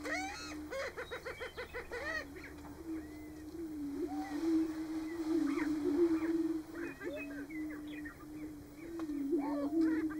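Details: Several male greater prairie-chickens booming together at a lek (booming ground) in Nebraska in March, a mating display; low, steady, overlapping hum broken by frequent cackles, whoops and squeaky calls from the group.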